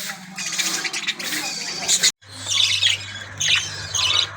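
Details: Budgerigars in an aviary cage colony, playing and eating, squawk and chirp in thick overlapping bursts; a short silence falls midway, then a steady low hum runs beneath the renewed chatter.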